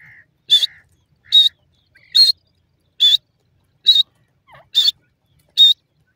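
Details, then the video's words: Female partridge calling from a cage in Pakistan: short harsh bursts repeated about every 0.9 seconds, seven in all, each a bright rasping note with a faint lower whistle between, otherwise quiet. "female partridge sist on the cage speaks"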